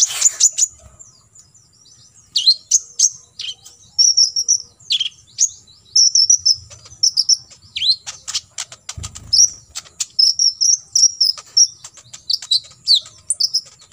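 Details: Olive-backed sunbird delivering 'full tembakan isian', a fill-in song played so other birds learn it: dense runs of shrill ticks and twittering trills, growing busier after two seconds, over a constant faint high tone and a short low thump.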